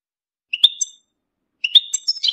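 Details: European goldfinch mating and readiness calls, played to stir males into singing and out of moult: two short bursts of bright, high twittering notes separated by a second of silence.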